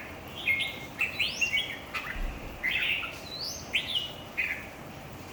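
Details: At a singing competition, red-whiskered bulbuls give short warbled phrases roughly every second, each with a rising whistle above, and a low thump near the middle.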